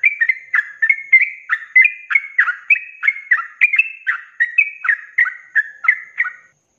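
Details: A sooty-headed bulbul in full ropelan song, played to train cage birds: fast string of fluty, downward-slurred whistles with slight pitch jumps between them, ending abruptly after about six seconds.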